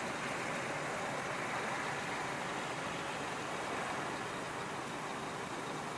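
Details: Steady broadband hiss and engine-like rumble fill the whole stretch, with no bird or other animal call standing out.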